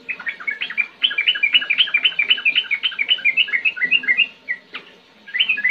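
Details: Dense, rolling song from a sooty-headed bulbul in 'ngetir ngerol' style: fast, tumbling whistled notes packed closely together, trailing off, then restarting after a short gap.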